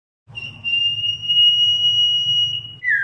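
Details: Common iora flock-calling lure: one long, even, high-pitched whistle held for over two seconds, then a brief lower note at the end.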